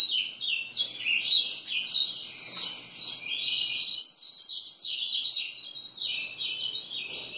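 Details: Long, uninterrupted grego ferradura song of a double-collared seedeater, a busy high warble of chirps and trills lasting over seven seconds.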